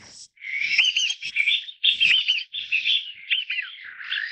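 Taiwan bamboo partridge giving loud, ringing, harsh phrases that run almost without pause, in rapid repeated bursts for about four seconds.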